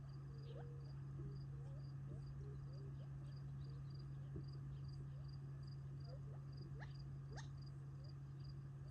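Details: Feeding flock of Gambel's quail on family land near Tularosa Creek, July 2021, before nightfall roosting; short soft whistled notes and sharp upward chirps, irregular and overlapping, against repeating cricket pulses and a steady low hum.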